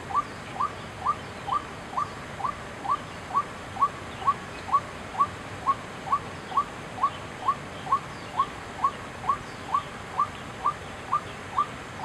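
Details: Long, even series from a white-breasted waterhen at Chiang Kai-shek Memorial Hall, 6 September 2012: some twenty-five short, bright, upslurred notes, about two each second, mechanical and unchanging, over soft background hum.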